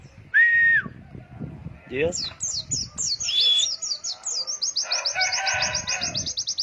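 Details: Training song for young white-eyes in the long-breath 'ngalas wit wit' style: a short steady whistle, a rising note, then rapid repeated high downslurred notes over a dense buzzy chatter.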